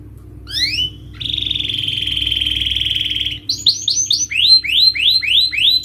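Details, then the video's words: Canary song for stimulating birds that refuse to sing: brief rising notes, a sustained buzzy monotone trill of two seconds, then a series of rapid rising whistled sweeps. "Pancingan Kenari Naikin Emosi dan atasi Burung males bunyi,Stres,& Mental Down"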